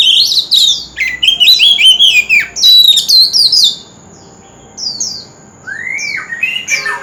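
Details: Newly caught oriental magpie-robin singing, used to stir other birds to sing: rapid jumbled run of piercing whistles and scratchy notes for nearly four seconds, a lull, then short downslurred chips and one rising whistle; faint steady high tone behind.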